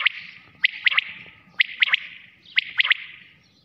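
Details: Night-time quail call: crisp triple-noted phrases, three quick ringing notes each, repeated at roughly one-second intervals, clear against a quiet background.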